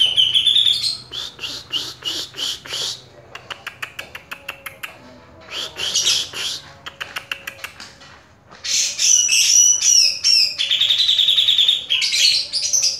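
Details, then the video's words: Caged grey-cheeked bulbul in vigorous song: bursts of harsh, buzzy chattering notes repeated in quick runs, broken by a quieter pause, then a louder stretch of clear whistled phrases over rasping chatter. "video cucak jenggot gahar"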